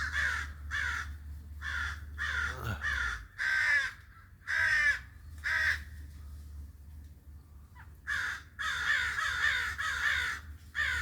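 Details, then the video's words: Repeated raspy cawing from a crow, about a dozen harsh calls in uneven bursts with a short quiet gap in the middle, over a faint low hum. "original sounds of the crow's"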